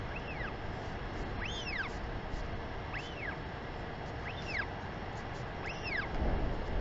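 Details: Female Northern royal albatross in New Zealand sky-calls to greet her chick before a feed, afternoon of 28 March 2021. Five clear arched whistles, each rising and dropping, come about every 1.3 seconds against constant wind noise.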